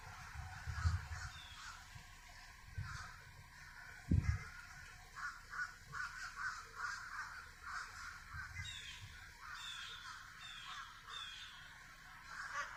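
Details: Crows cawing in a series of harsh, hoarse calls, several overlapping, over steady low rumbling background noise.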